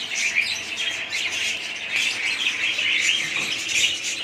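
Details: Colony of budgerigars chattering together, a steady overlapping mass of high warbles, chirps and short squeaky notes with no pause.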